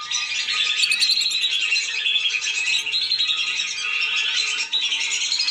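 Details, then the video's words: Lure recording of lesser whistling ducks for luring them down: a steady, dense stream of high, thin whistled chatter from a flock, broken by one brief drop near the end. "SUARA PIKAT BURUNG BLIBIS"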